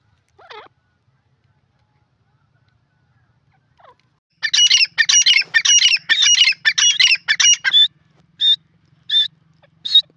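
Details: After a brief faint note and a long pause, a francolin bursts into a rapid, scratchy run of squawking notes. It then slows to a few loud, clipped, high notes spaced about half a second apart. Otherwise silent.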